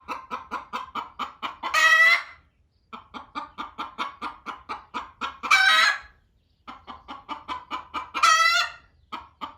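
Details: Loud hen in a barn, clucking at another hen laying an egg there instead of in the nesting box: runs of quick, even clucks that build into three harsh, drawn-out squawks, with a quiet pause after the second.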